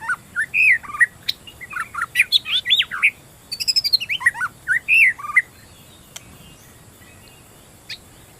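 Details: Wild magpie-robin delivering a lively song of varied whistles, upslurs and downslurs, with a brief rapid trill in the middle, fading to near silence at the end.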